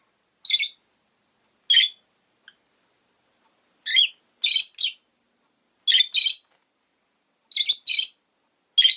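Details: Pet rosy-faced lovebird giving short, harsh, high chirps, singly or in quick pairs, spaced one to two seconds apart over a quiet background.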